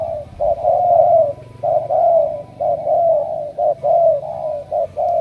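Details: Wild-caught spotted dove chosen for heavy cooing, bound for Hải Dương, Vietnam: loud, steady low coos, drawn-out slurred notes mixed with short clipped ones in a fast, even rhythm.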